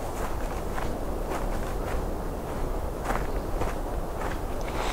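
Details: Repeated crunching footsteps on rough ground over a low rumble, with no animal voices.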